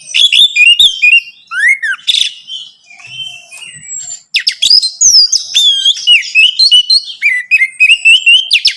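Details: Orange-headed thrush song meant to encourage a captive bird to sing: rich whistled phrases with rising and falling slurs, a quieter stretch in the middle, then dense bursts of sweet notes and sharp clicks tumbling on.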